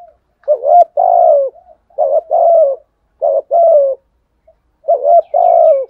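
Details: Spotted dove with a 'thổ sấm' voice, calling to provoke untamed doves to answer: four deep, hollow coo phrases, each a brief upswept note followed by a drawn-out falling coo, in an otherwise quiet setting.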